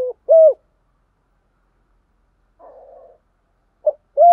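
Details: Spotted dove used as a decoy, calling to stir up wild birds: short steady coo notes at the start and end, separated by a long quiet stretch with a faint rustling murmur.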